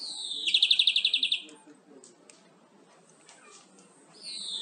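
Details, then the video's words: European greenfinch singing, a recording for tutoring caged birds: a loud rattled trill of about a dozen even pulses, then near silence, ending with a falling buzzy note. "Greenfinch Song 679 - Tyson Kuşlarınızı Huylandırmak için Kullanabilirsiniz"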